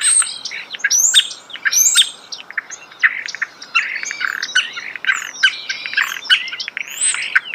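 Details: Close natural recording of a starling singing: busy, continuous chatter of sharp high chirps, squeaks and clicks, with repeated whistled notes dropping in pitch throughout.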